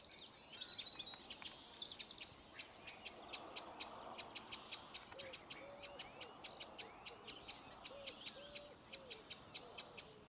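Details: Eurasian wren alarm: a long, rapid, regular run of dry, clicking ticks. A brief high twitter opens it, and soft low tonal notes sound underneath midway.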